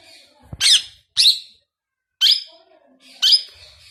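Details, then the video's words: Pet Indian ringneck parakeet, newly acquired and said to be talking for the first time, utters four harsh, scratchy squawks in short bursts roughly a second apart, with a faint low background hum indoors. "My New Ring Neck Parrot first time Talking"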